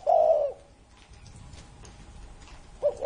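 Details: A single drawn-out, hoarse coo from a spotted dove over thirty years old, followed by quiet and the first rising note of the next phrase.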